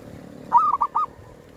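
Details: Zebra dove of a local strain, recorded while hunting doves at a cemetery with a lure: a brief cooing phrase, one drawn-out note then two short clipped coos, mellow and mid-pitched, against faint low hum.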